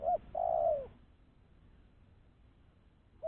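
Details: Spotted dove call used to lure wild doves: a brief note followed by one long, steady coo that drops in pitch at its close, then near silence with faint low background noise.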